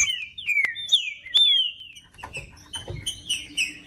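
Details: Singing green-winged saltator (trinca-ferro), used to warm up a cold caged bird: clear slurred whistles falling in pitch, several linked phrases, then softer broken notes over a low hum and clicks.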